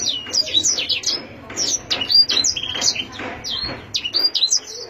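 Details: Canary (Serinus canaria), song.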